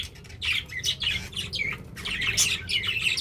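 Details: Pet budgerigars give a quick run of warbling, scratchy chirps, one after another with little pause, over a low background hum.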